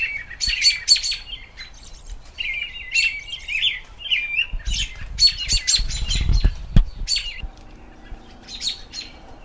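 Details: American robins sing in spring in quick, bright chirping phrases, some fuller whistled notes mixed with high twittering, over low thumps and a brief rumble of wind or handling.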